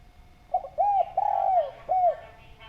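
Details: Spotted dove calling vigorously with a clear voice, used as a lure to make other doves call: a short opening note, then an arched coo, a long drawn coo sliding downward, and a final short coo, over a steady faint hum.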